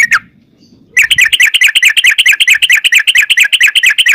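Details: Sooty-headed bulbul in energetic 'ropel' song, a recording meant as a lure for other bulbuls: one chirp, a short pause, then a fast, steady stream of bubbly, slightly buzzy notes repeated more than twice a second.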